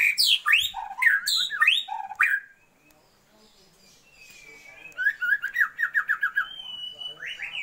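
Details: Female Oriental magpie-robin calling the male to raise his breeding drive: high, sweeping chirps, a quiet gap with a faint drawn-out whistle, then a rapid string of short whistled notes.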